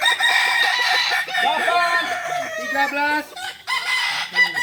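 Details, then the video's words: Crowing contest practice for balenggek roosters in Ampang Kualo, Kota Solok. Several crows overlap, each a run of short stepped syllables rising and falling in pitch, with quiet gaps between bursts and low background chatter. "Latberan ayam kukuak balenggek"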